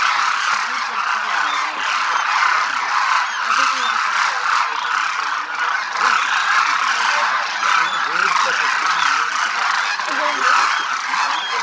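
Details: Demoiselle cranes in a big flock over Rajasthan, India, crooning as they fly and feed in formation; a loud, unbroken wall of overlapping rattling calls from many birds, with faint lower murmuring beneath.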